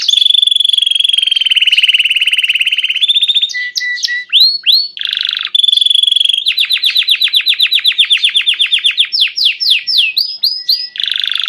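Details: Copper Belgian canary singing with gusto. Long, loud, high rattling trills of very rapid pulses alternate with swooping whistled slurs and steady tones. It carries on almost without a break for over eleven seconds.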